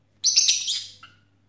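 Lovebird giving a shrill, harsh burst of high chattering screeches lasting under a second, ending in a short lower note, over a faint steady hum.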